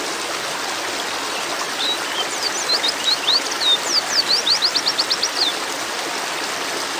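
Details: High, needle-thin chirps from a female white-eye in breeding condition calling to males, building from scattered notes to a fast burst of evenly spaced tweets before falling quiet, steady hiss behind.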